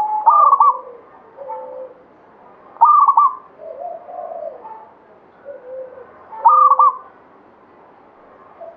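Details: Zebra dove, local katuranggan Banyumili bird, repeating a bright, rapid cooing phrase roughly every three seconds, with quieter low coos filling the gaps between phrases.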